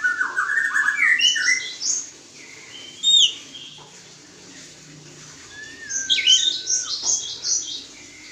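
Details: Oriental magpie-robins being paired for mating: rich phrases of quick whistled and chirped notes, a sharp high note, a pause, a long level whistle, then more varied twittering.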